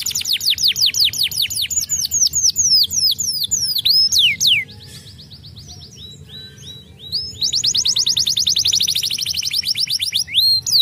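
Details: Singing canary delivering rapid downward-sweeping whistled notes, a few longer slurs, a quiet gap, then a dense fast rolling trill and a final falling whistle.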